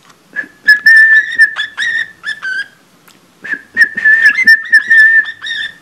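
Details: Pet budgerigar imitating a cockatiel's whistled Mickey Mouse Club March, badly off-tune: clear steady whistled notes at one pitch, broken by clicks, in two bursts around a short silence.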